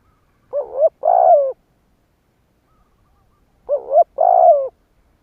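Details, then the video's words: Spotted dove lure cooing to provoke wild doves. Two matching phrases about three seconds apart, each a short rising note, then a longer throbbing coo ending in a clipped upturn. Silent surroundings. "Cu gáy gù kích bổi"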